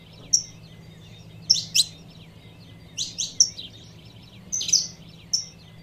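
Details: Calling female saffron finch trying to rouse a male, giving scattered sharp high chirps, often in pairs or triplets, with gaps of silence between them and a faint low hum underneath.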